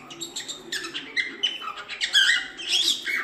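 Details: Chattering cockatiel sound, played to teach cockatiels to sing. Scratchy, overlapping squeaks and short rising whistles build steadily louder over about three seconds.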